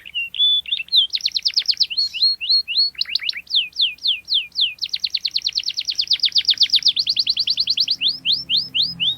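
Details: Canary song recorded to teach a young canary to sing: fast rolled trills of downward-sweeping whistled notes, slower spaced sweeps in between, and a dense rapid trill near the end.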